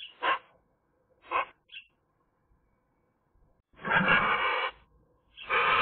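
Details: Eurasian magpie in sunshine: two short chack notes and a tiny high squeak, then after a silence two long, harsh, rasping bursts.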